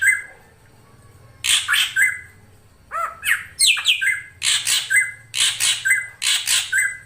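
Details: Female drongo calling to lure the male: after a quiet start, repeated harsh rasping bursts, each tipped with a short whistle, interspersed with lower nasal notes.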